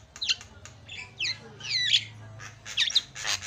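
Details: Javan myna song meant to coax a silent myna into singing: scratchy, sliding whistles and harsh squawks in quick irregular bursts over a steady low background hum.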